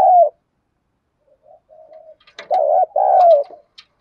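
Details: Spotted dove in the Đồng Pha voice style, used to provoke other doves to respond: one loud coo, then soft faint coos, then two loud low rolling coos close together, with slight clicking above them.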